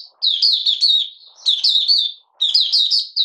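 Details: Oriental white-eye from Malaysia, kept as a hobby bird, out of form and lightly moulting, singing buka sing on 31 July 2023: three bright warbled phrases of quick looping chirps separated by brief silences.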